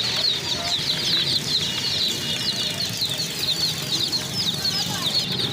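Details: Dozens of chicks cheeping together, their sharp, high, downslurred notes crowding into an unbroken shrill chorus, with a faint low rumble underneath.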